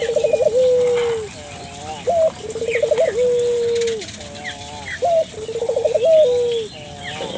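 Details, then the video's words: Lure recording of a spotted dove to get local doves calling: hoarse cooing phrases repeated every two seconds or so, each a rapid wavering run sliding into a long, steady, falling note, faint chirps around. "suara burung puter gacor,merangsang buru puter lokal ikut gacor"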